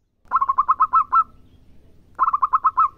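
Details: Local zebra dove singing actively. Two short bursts of rapid, staccato cooing notes, each about a second long and ending on a slightly drawn-out note, separated by a pause.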